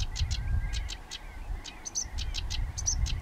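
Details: June 2011 recording of a singing sedge warbler: short bursts of clicking, chattering notes with a couple of thin high whistles, set against soft background rumble.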